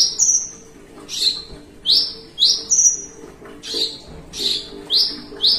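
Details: A captive Horsfield's bush lark, perched at rest, sings long melodic runs of high, thin whistles that slide downward, one every half second or so, over a faint low hum.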